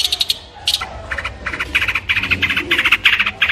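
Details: Long-tailed shrike delivering harsh, grating chatter: rough broadband notes in quick clustered bursts, about three a second, loud and scratchy, with a faint low rumble underneath.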